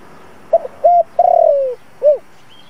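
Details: Single low phrase from a decoy spotted dove used to lure wild doves to a trap: a short stutter, a held note, a long gently falling coo, and one rounded closing hoot.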